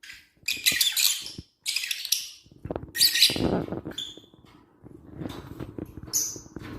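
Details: African lovebirds, apparently in an aviary, give harsh, shrill chirps and squawks in bursts about a second long, with clearer piping notes near the end, over a faint low rumble.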